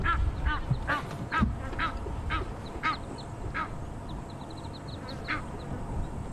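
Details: Egyptian geese with six goslings, making a racket as marabou storks are chased off at evening, November 11, Sabi Sands safari drive, give harsh, honking calls in irregular bursts, roughly two a second, over low rumbling wind noise.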